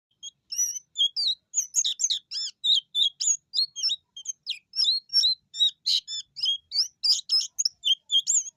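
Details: White-eye singing in long, lively 'ngerol' rolling bursts, seeking a rival: rapid high thin chirps and slurred whistles, some rising and some falling, packed into dense chattering runs with brief pauses.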